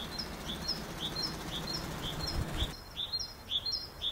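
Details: A great tit repeats a clear, high-then-low two-note phrase at a brisk, regular rate. Low rumbling noise fills the first part, and the song becomes louder and crisper after an abrupt cut.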